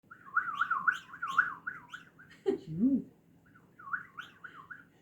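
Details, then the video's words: Hand-tame white-eared bulbul sings while acting affectionate toward its owner's relative: quick, wavering warbled phrases repeated in a rapid run, a pause broken by a low voice-like sound, then a second burst of similar rolling notes. "بلبل خرما دستی که واسه داییش خودشو لوس میکنه آواز میخونه"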